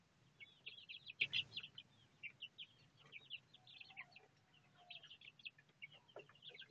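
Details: Kept Bangkok game chicks, four birds aged 1 month 26 days, hatched 26 September 2013: many shrill, short cheeps, some falling, chattering on without pause, with one brief bump of handling noise and a low background hum.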